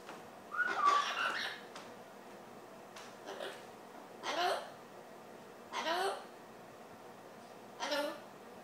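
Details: Captive Amazon parrot indoors, imitating speech and singing "Old McDonald Had a Farm": a whistled phrase followed by four short, separate voice-like calls about every one and a half seconds in a quiet room.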